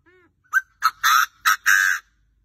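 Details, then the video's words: Chinese francolin giving a loud harsh crow of five grating syllables in a quick uneven rhythm, the third and fifth drawn out, after a faint low tone, against a quiet background. "Báo quá báo, đa đa mà gáy như thế thì thì bổi sao mà dám về"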